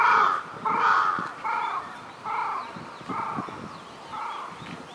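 Eurasian bittern giving six harsh, nasal, crow-like barks, each short and hoarse, about one every second, with faint background noise.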